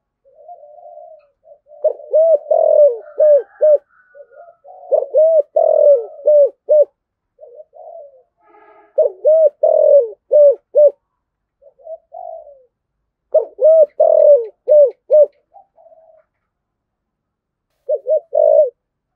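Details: Cooing spotted dove, sound meant to prompt doves to coo: rapid runs of rolling, hooting coo notes in dense bursts, several phrases back to back with short pauses, a few softer notes between.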